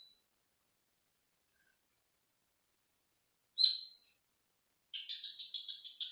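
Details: Male Senegal parrot, caged indoors and recorded from a different room: a sharp single whistled note, then a fast stuttering series of about seven high pulsed chirps.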